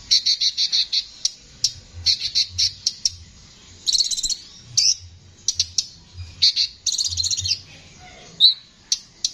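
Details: Konin with a rough, constantly singing voice, recorded as a training song for songbirds: bursts of high, rapid, scratchy chirps and buzzy trills, repeated in quick runs separated by short pauses.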